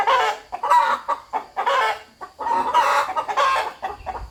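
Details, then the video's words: Rooster clucking in a farmyard, communicating: rhythmic, harsh, broadband clucks in quick bursts of two or three, with short gaps between groups and no other sounds. "Rooster Clucking"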